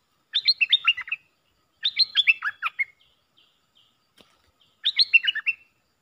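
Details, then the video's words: Puff-throated bulbul decoy recording used to train young hand-fed birds: three bursts of quick chirpy, bubbling notes that slide up and down, each burst under a second, separated by short pauses with a few faint ticks between. "เสียงต่อนกดอกแตงEp.114เสียงสำหรับหัดลูกเสอ/ลูกป้อน!!Birds sounds"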